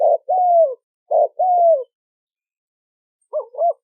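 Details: Spotted dove producing a short coo and a longer falling hoot twice, then silence before a softer doubled coo at the end, with no other sounds.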